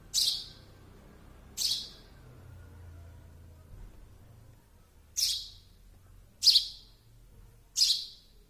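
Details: High, raspy chirps from a baby sparrow, two calls then a pause of three seconds before three more in quicker succession; faint low background hum.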